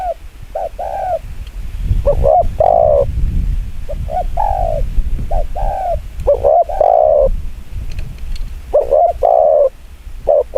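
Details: Spotted dove cooing in the very fast 'chiêu gù kích bổi' style: quick two-part coos, a short note then a longer falling one, repeated in bursts over a low rumbling background.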